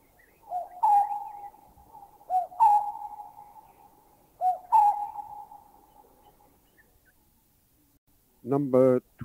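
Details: Lineated barbets in Thailand: one bird gives a low, hollow bubbling call and another joins with a double note call. Three short phrases, each trailing into a sustained hoot, spaced about two seconds apart. A man's voice speaks at the end.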